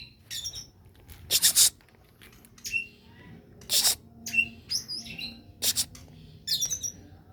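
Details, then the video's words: Lure song of an oriental magpie-robin, meant to goad other birds into singing: harsh, scratchy bursts alternate with short sharp whistles and chirps in an irregular, stop-start pattern over a quiet background. "pancingan kacer agak om"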